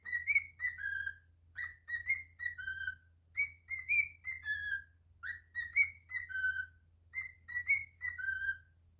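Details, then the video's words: Singing pet cockatiel delivers a long run of the same melodic whistle, bright notes climbing then settling onto a held lower pitch, phrases about two seconds apart across the recording, faint hum behind. "Cockatiel singing"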